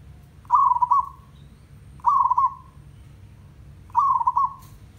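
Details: Village zebra dove (merbok kampung) song: three clear phrases about every one and a half seconds, each a quick burst of stuttered, bubbling coo notes followed by a fading drawn-out tail, with faint low background hum.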